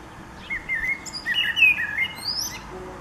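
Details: Blackbird singing, 29 April 2019: a short burst of flowing, flute-like whistles that climbs into a bright, high-pitched twittering ending.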